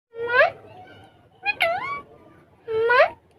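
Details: A ringneck (rose-ringed) parakeet on a table talks in Urdu/Hindi, giving three short, rising, voice-like words about a second apart, with a clear, slightly nasal tone.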